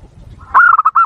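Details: Zebra dove giving a lure-type call meant to provoke wild doves: a single phrase of five or so mellow, clipped coo notes, rising slightly at the start then beating evenly before stopping.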